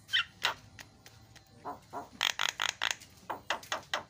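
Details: Javan myna song played as a master recording to prompt a bird that has stopped singing; harsh, scratchy broadband notes and clicks in irregular bursts, a quick rattling run midway, and a few softer low croaks.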